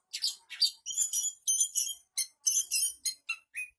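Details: Long-tailed Shrike in full song, imitating other birds: separate high whistled and chirped phrases, some clear and tonal, others scratchy, in quick succession with brief silences between them.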